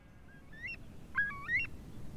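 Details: Eurasian curlew alarm call during the breeding season, given by an adult taking off from its nest and continuing while flying around its territory: thin, rising whistled notes in quick clusters, over faint low rumble.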